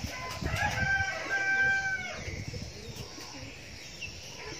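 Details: Young decoy red junglefowl crow, a harmonic call of roughly a second and a half that rises briefly then holds and fades, with low thumping and rustling noises underneath.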